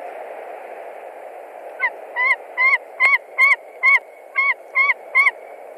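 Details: White-tailed eagle at a nest in Latvia on 20 March 2021, screaming repeatedly as a stranger, probably a young eagle, lands on a branch: a series of nine sharp, harmonic yelping notes, roughly two per second, over a steady broadband hiss.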